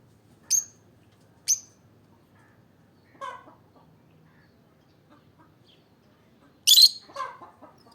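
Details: Olive peach-faced lovebird uttering two thin, sharp chirps a second apart, a quieter chattering note, then a loud harsh shriek trailing into rapid twittering near the end.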